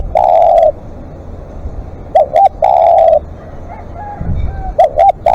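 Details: Live decoy spotted dove in long calling: a sustained coo at the start, then two more phrases of two quick notes and a long level coo, with faint extra soft notes and clicks.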